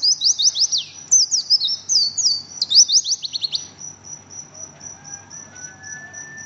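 An Oriental white-eye pours out fast, high, twittering phrases of slurred notes, then a run of thin, evenly spaced high peeps; faint lower whistles sound in the background.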